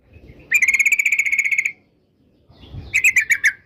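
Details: Yellow-vented bulbul giving a tight, buzzy rolling trill of over a second, then a shorter burst of quick notes, in a lure recording meant to prompt other bulbuls to sing. Faint low murmuring between phrases.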